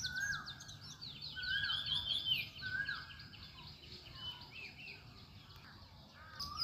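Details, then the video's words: Morning birdsong at sunrise: dense high chattering and twittering from several birds, with short rising whistled notes repeated at intervals, over a faint low rumble. "সকালবেলায় সূর্য ওঠার মুহূর্তে পাখির ডাকে মুখরিত পরিবেশ"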